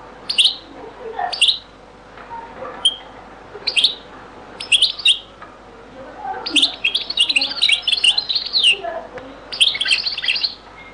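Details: European goldfinch song in the Beni Messous les avocats (zaboka) style, from a very old recording: spaced bright chirps give way to long tinkling, twittering phrases of rapid high notes, with a low background hum.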